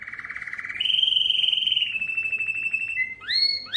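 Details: Belgian canary singing loudly to draw females for breeding: a low buzzy trill steps up into a strong sustained whistle that slowly falls, followed by short rising slurred notes.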